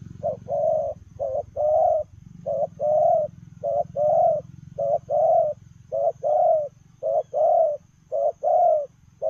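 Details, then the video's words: Spotted dove running while cooing in the 'lèo rồng' style. A long regular series of paired coos, each a clipped note then a fuller drawn-out coo, with faint low rumbling beneath. "Gù Lèo rồng vừa chạy vừa gù"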